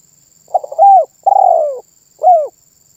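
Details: Spotted dove giving a complete lively phrase, its song said to make other birds sound off. A short hiccuping start, then a long vibrant coo sliding down and a final brief arched note. A faint continuous high tone sits behind.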